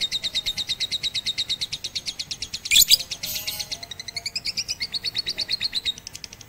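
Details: Rooftop training of a Batman lovebird using a master recording, first session 18 April 2021: a long rapid rattling trill of high notes, a harsh burst midway, then wavering chattering notes.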